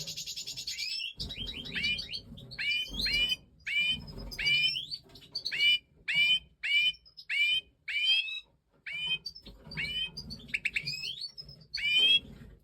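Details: Singing Stieglitz Major goldfinch during breeding time: a long sequence of short, high, upward-sweeping chirps repeated roughly every second after an opening buzzy trill, with low murmuring noise beneath.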